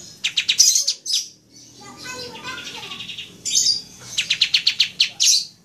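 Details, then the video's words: Back-and-forth singing of pied trillers, taped as a lure: bursts of rapid, high, rattling notes. A softer mixed warble sits between them, and an answering series of about seven quick pulsed notes follows near the end. "Buat Pancingan Kapas Bunyi Saut Sautan"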